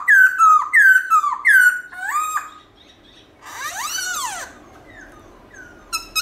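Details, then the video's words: Black-throated laughingthrush morning song: three loud falling whistles in quick succession, a brief warbled note, then a quieter rising-falling phrase and faint scattered notes near the end. "Khướu Bạc Má Hót Giọng Rừng ĐẢO GIỌNG Buổi Sáng Cực Hay"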